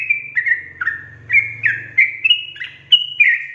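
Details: Long ropel of a gacor sooty-headed bulbul: a continuous chain of clear, fluty whistled notes stepping up and down, some short and downslurred, others held briefly, over a soft low rumbling background noise.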